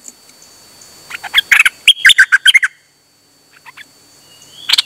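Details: Dok Taeng bird singing on 8 September 2023, delivering a rapid burst of sharp, chirpy notes that rise and fall, then a pause and a few softer notes, ending with another bright phrase.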